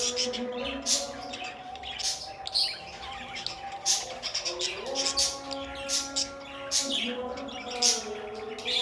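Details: Pet budgerigars chirping in a busy, overlapping chorus of short, sharp high notes in quick bursts, with a steady tonal music track sustained underneath throughout.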